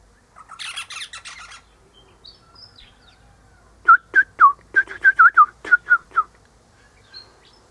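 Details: Eastern rosella up high in a hedge one morning, its mate nearby in a pecan tree, chatting: a burst of harsh noisy chatter, then a quick series of about ten sharp whistled notes with bends, roughly five per second.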